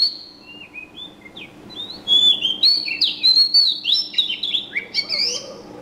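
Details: Quiet scattered chirps build into a loud, rapid run of high sliding whistles and twitters, a lively bird song continuing to the end.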